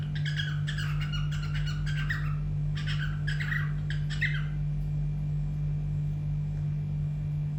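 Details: A pet cockatiel sings indoors, giving rapid scratchy chirps and rasping squawks in short bunches for about four seconds before falling quiet, with a steady low hum underneath.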